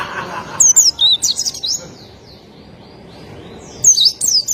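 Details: Pleci, a white-eye of the genus Zosterops: two short bursts of very high, fast, thin twittering notes, with a quiet pause of about two seconds between them.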